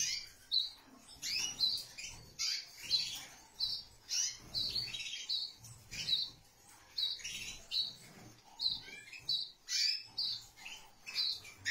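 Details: Canary pair with their chick: rapid high chirps and tweets in repeated short bursts, roughly every half second to second, a steady stream of bright twittering notes with quiet gaps between clusters.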